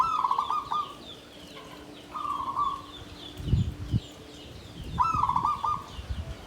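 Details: Bamboo-caged zebra dove singing klabang kapipit, tumpang sari style: three short bubbling, trilled coo phrases spaced a few seconds apart, over low thuds and rustling, with faint high chirps from other birds in the background.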